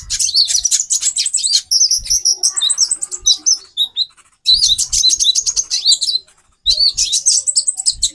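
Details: High, sharp chirping from a female konin, a sunbird kept to stir a male into breeding condition; fast twittering bursts broken by short pauses near the middle and end, with soft low knocks.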